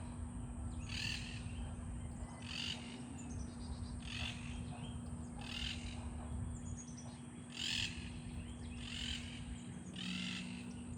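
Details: Two monk parakeets communicating in a backyard on a cloudy day, trading harsh, buzzy squawks about every one to two seconds over a steady low hum and constant background noise.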